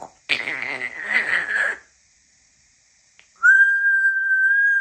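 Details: African grey parrot talking: a buzzy, speech-like phrase lasting about a second and a half, silence, then a long, steady, pure whistle held on one pitch.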